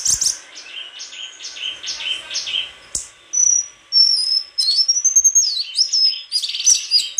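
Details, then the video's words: White-throated flycatcher delivering high, varied song: thin buzzy notes first, then after a click, long pure whistles that rise and fall, ending in quick tumbling phrases. "Sikatan krongkongan putih suara gak kalah sama burung kicau lain"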